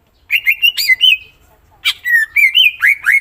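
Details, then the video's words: Greater green leafbird singing loud, clear whistled phrases of rolling, slurred notes, with a short pause between two flowing runs of melodious whistles. "Cucak ijo mana Saja akan ikutan bunyi dan gacor dengar c ijo ini bongkar isian full"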